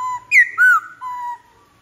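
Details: Black-throated laughingthrush giving a short phrase of pure whistles: a steady low note, a bright rising-falling note, a sweeping slur, then a long level tone.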